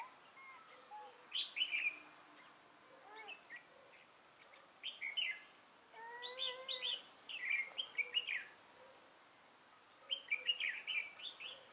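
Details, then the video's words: A red-whiskered bulbul kept as a trapping decoy, of the lân crest type with a dark bib, sings repeated bouncy chirping phrases, some with lower stacked notes, in bursts spread over about twelve seconds, soft and far off. "Bẫy chào mào Mào lân hầu bò yếm đậm"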